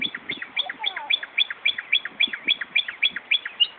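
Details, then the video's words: Northern mockingbird at Buckland Park, Brighton, New York, near an ambulance station, mimicking a car alarm: rapid, evenly repeated sharp chirping notes, about four per second, with a brief lower slurred whistle underneath. "Northern Mockingbird mimicking car alarm"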